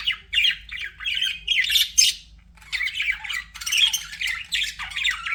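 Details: Budgerigars kept as pets chattering in two bursts of buzzy chirps and squeaky trills separated by a brief quieter gap, then resuming with harsher squawks and a falling whistle.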